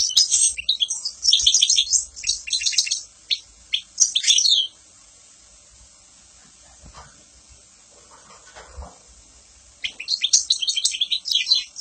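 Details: European goldfinch pouring out rapid tinkling chirps and trills for about five seconds, then near silence with faint soft sounds, before the quick twittering song starts again.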